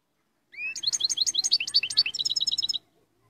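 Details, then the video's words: European goldfinch in full song: a rising whistled lead-in, then a quick, tinkling string of high notes repeated several times a second, ending in a tighter chattering series. "تغريد مقنين"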